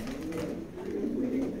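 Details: Racing pigeon cooing: a low, soft, murmuring coo held at a steady low pitch, growing slightly louder and fuller in the second half, over a constant background hum.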